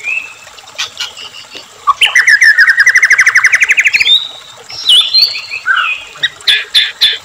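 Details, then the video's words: White-rumped shama song played to stir captive shamas: a loud rattling series of rising notes for two seconds, then sweet whistled phrases and sharp chips over running water. "murai batu gacor AMPUH buat PANCINGAN murai agar RAJIN bunyi JADIKAN murai gacor EMOSI ngeplong"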